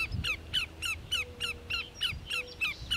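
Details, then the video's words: Greater Yellowlegs (Tringa melanoleuca) at Grand Forks, North Dakota, 13 July 2009, giving a rapid series of loud, ringing, slightly downslurred whistled notes, about three per second, over a few low thumps. "Greater Yellowlegs (Scolopacidae: Tringa melanoleuca) Vocalizing"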